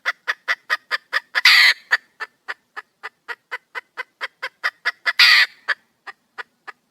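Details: Female junglefowl calling for a male: rapid clucking, roughly four to five notes a second, interrupted twice by loud scratchy squawks, then slowing toward the end.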